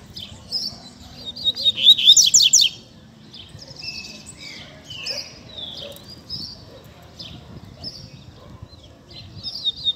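Double-collared Seedeater giving short high whistled and buzzy phrases, a brief burst of sharp trills, then scattered sweet notes with pauses; a faint low hum underneath.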